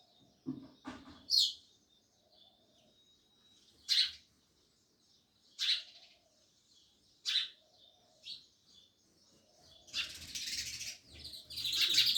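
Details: Sparrows chirping loudly: sharp high chirps in separate bursts about every one to two seconds, then a denser run of overlapping chirps near the end, with a faint low rumble at the start.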